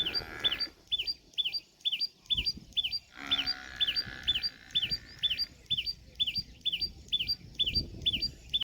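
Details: Common tailorbird (Orthotomus sutorius) call, Ranthambore National Park, Rajasthan, India: loud, sharp, high notes, about two each second in a steady run, over a faint lower hum from another bird or insect.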